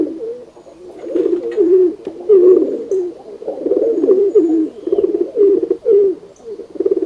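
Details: Pigeons giving a steady stream of low, guttural, rolling coos. The calls overlap one another and run continuously for about seven seconds, with brief swells in loudness.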